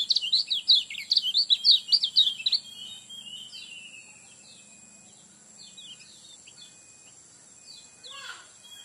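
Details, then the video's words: Lemon-bellied white-eye lure recording meant to get birds singing quickly: rapid high, thin chirping phrases for about two and a half seconds, then fainter scattered chirps and a steady high tone. "Pancingan kecial kuning cepat buka paruh alami"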